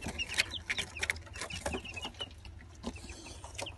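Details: Gold Brahma and village chicks, twenty days old, giving soft high peeps and short chirps scattered among loud clattering and rustling handling noises.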